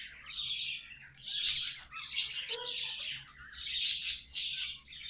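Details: Budgerigars kept as pets warbling: scratchy chirps and squawky bursts, loud peaks near the start and end, with a soft background hum.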